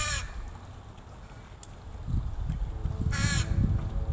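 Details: A mother crow foraging with her young, 26 July 2019. Two loud, grating caws sound about three seconds apart, separated by quieter low background noise.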